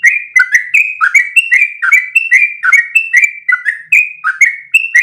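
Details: Continuous 'ropel' song of a sooty-headed bulbul, used to train other birds: bright, chattery whistles in tight clusters, level high notes alternating with lower swooping ones, flowing without a break.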